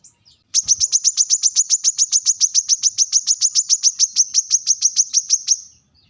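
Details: Brown-throated sunbird giving a sharp call to rivals: a rapid, even series of high, piercing chips, about three or four per second, running steadily for five seconds after a brief opening note.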